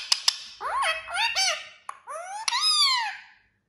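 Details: Talking parrot: two sharp clicks, then a series of arching squeaky syllables, a brief click, and one long downward-sliding whistle before silence.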